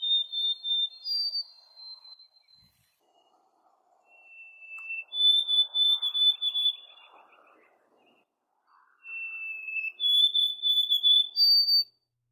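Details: A male White-throated Sparrow singing in the breeding season gives three clear, pure whistled phrases of long, steady notes that step between pitches, over a soft low murmur.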